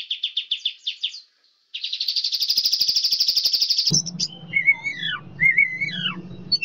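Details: Young forest white-rumped shama master song, used to teach captive birds imitations of other species. Rapid pulsed trills come in bursts, then a long buzzy rattle, then clear downward-slurred whistles over a low hum.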